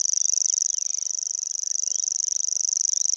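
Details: Common Grasshopper Warbler near Gdańsk on the Vistula, singing without pause, bill open: a steady, high, dry reeling buzz made of rapid uniform ticks, like a cricket, with a few soft bird notes in the background.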